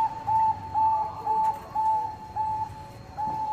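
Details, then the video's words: Bangkok-type zebra dove singing as a lure to make rival birds sing: a series of clear, level whistled coos, each about a third of a second long, repeated roughly every three-quarters of a second, over a low background hum. "PANCINGAN PERKUTUT BANGKOK GACOR"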